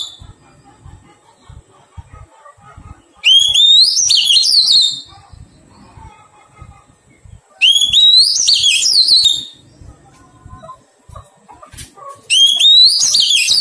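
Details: Three loud song phrases from a wild-caught Oriental magpie-robin during taming, each starting with a rising whistle and tumbling into fast warbled notes, spaced about four seconds apart with soft tapping between them.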